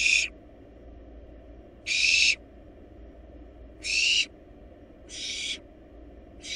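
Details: Wild barn owl chicks in a nest box feeding on a rabbit make raspy, hissing shrieks with a slight rising tonal edge, about one every two seconds.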